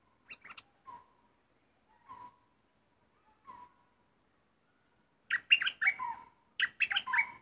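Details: Bulbul used as a decoy, an uninvited intruder arriving: low whistled notes repeated at spaced intervals, then lively bursts of bubbly, rising and falling phrases near the end.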